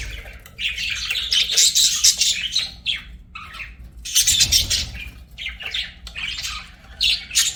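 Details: Pet budgerigars singing and chirping: dense, warbling chatter of buzzy, scratchy notes and high squeaks, bursts coming in waves with brief pauses, several birds overlapping.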